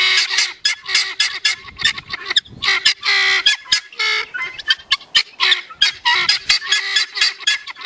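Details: Several male helmeted guineafowl gathered in a flock, calling loudly, possibly sounding an alarm or showing off to females; harsh, rasping, rapidly repeated chattering calls from overlapping birds, continuous and noisy throughout.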